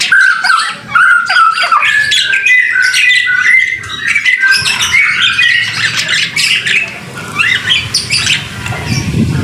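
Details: In the rain, a white-rumped shama pours out fast varied whistles and chattering notes. Broadband hiss and low rumble build toward the end.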